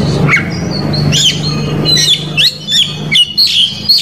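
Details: Rival-baiting cor dor song of an Oriental magpie-robin in Indonesia, packed with mimicked fill phrases. Sparse phrases arrive a second or so apart: sharp slurred whistles and quick high chips, with gaps between them, over a low humming background.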